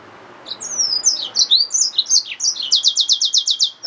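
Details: Yellow-fronted canary mule, a hybrid finch, singing a rapid high warble of short slurred notes that ends in an even, fast trill of about ten repeated notes.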